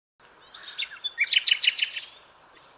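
A common nightingale gives one rich, high song phrase: a few sweet whistled notes, then a quick burst of four loud repeated notes. Faint background hiss.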